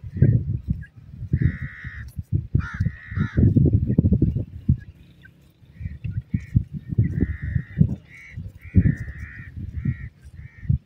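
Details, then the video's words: Female grey francolin in the wild giving a series of short, clear nasal notes, repeated irregularly about one or two per second, over heavy low rumbling wind and handling noise. "Grey Francolin Female Ki Awaz,Cute Partridge Female Sounds in the Wild"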